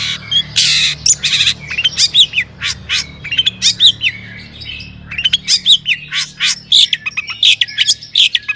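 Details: Energetic long-tailed shrike song used as a lure for other shrikes: loud scratchy bursts, then a string of sharp upslurred chirps and high whistles, a brief quieter gap, then more rapid chirping.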